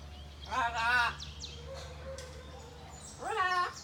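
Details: Cockatoo at Buenaventura Zoo saying hello (hola): two short, raspy, harmonic-rich speech-like utterances, the first around mid-clip start and the second near the end, with a low steady hum behind them.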